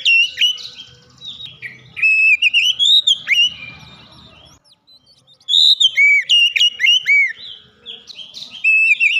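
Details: Oriental magpie-robin singing with beak opened wide; two long bursts of varied whistles, slurred notes and quick chips separated by a pause of about a second.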